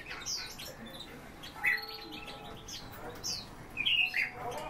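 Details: Kept song thrushes sing scattered high, sharp whistled notes and chirps with short pauses between them, over a faint steady background hum.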